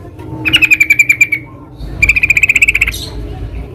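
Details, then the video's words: Two quick rattling trills from a wild yellow-vented bulbul (trucukan), each a run of about a dozen evenly spaced bright notes that slightly falls or holds level in pitch, separated by a brief pause. "SUARA BURUNG TRUCUKAN DI ALAM LIAR"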